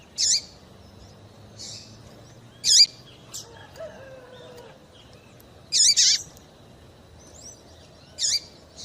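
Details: Calls of a female double-collared seedeater, used to rouse males for singing tournaments: bright, shrill chirps, each dropping sharply in pitch, some doubled, roughly every one to three seconds over a faint low hum.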